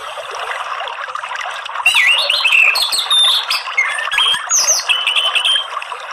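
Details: Orange-headed thrush therapy sound for a caged bird that will not sing: a long run of varied whistled phrases, some clear and level, others rising or dropping, over constant hissing background noise.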